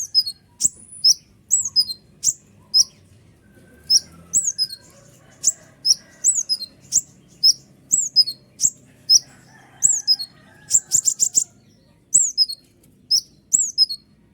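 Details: Sunbird called kolibri ninja in a long, noisy singing bout used as a lure to rouse lazy or rival birds. Steady series of piercing, falling squeaks, interrupted once by a quick trilled run.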